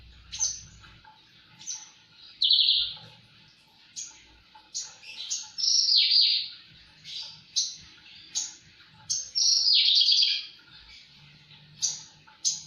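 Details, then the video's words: Javan bush lark in full, energetic song: a busy run of high chirps, sweeps and longer buzzy trills, loud and varied, with faint low hum beneath. "Burung branjangan gacor"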